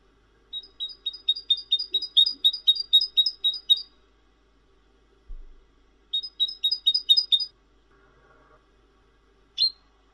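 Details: Bright, ringing song of a cinereous tit, known as glatik wingko: a long rapid series of high doubled notes, a pause broken by a soft knock, a shorter series, then one lone note.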